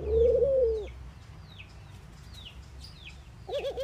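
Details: A single low, smooth coo from a mourning dove opens, then a quiet gap with distant high bird chirps, ending in a short, wavering low warble.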